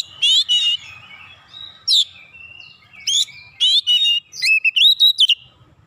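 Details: Heated oriental magpie-robin answering another bird's provocation with open-beaked, varied song: scratchy buzzy phrases alternating with clear, rising and falling whistles in short bursts, ending in a quick run of bright notes.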